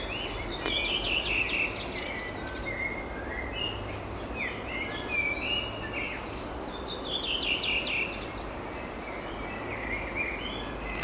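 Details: A Redwing (Turdus iliacus) in Estonia sings short, high phrases of quick notes that drop and end in a twittering chatter, repeated every few seconds over steady background hiss.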